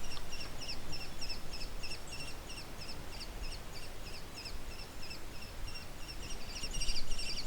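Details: American Kestrel calling in mid-air just before flying over, one of three birds believed to be two juveniles and a male: rapid, evenly repeated shrill high notes, about three per second, over strong low rumbling noise.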